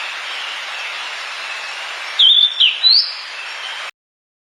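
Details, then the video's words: Sulingan or tledekan bird, a natural recording used as a lure sound: three short, clear whistled notes, the first level, the next two sweeping up and down, over a steady high hiss and a thin constant high tone. "PANCINGAN SULINGAN/TLEDEKAN //SUARA ALAM TLEDEKAN/SULINGAN LAUT"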